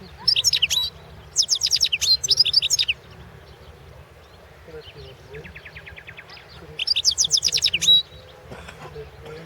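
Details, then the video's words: European goldfinch singing in a 2016 world championship of goldfinch song, competition recording 001/2016: bursts of rapid, high, buzzy twittering and tinkling notes, each lasting about a second, separated by quieter gaps with softer phrases and a low hum. "Pesma štiglića"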